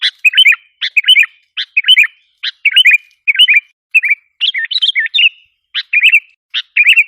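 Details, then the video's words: Sooty-headed bulbul lure call aimed at provoking wild birds: paired sharp chips each followed by a bubbling, dipping phrase, repeated roughly every second in a clean recording. "suara pikat kutilang ampuh 100%bikin kutilang liar emosi"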